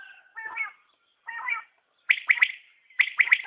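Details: {'caption': 'Common quail (batair) calling: two low, grating double notes, then two crisp three-note phrases, quick and liquid, about a second apart.'}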